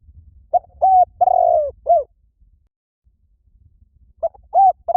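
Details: Spotted dove call used to lure birds: mellow, low coos in a phrase of short notes and one longer drawn-out coo, a two-second pause, then the phrase starts again. Faint low rumble underneath.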